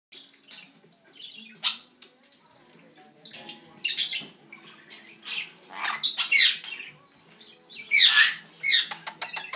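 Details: Pet Red-headed Amazon parrot calling loudly indoors: harsh broadband squawks and screeches in bursts, strongest near the end, with scattered chirps and faint room noise between calls.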